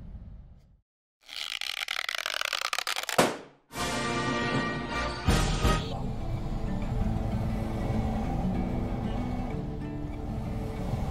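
Music with hard cuts and broad low-pitched background noise, with no animal sounds.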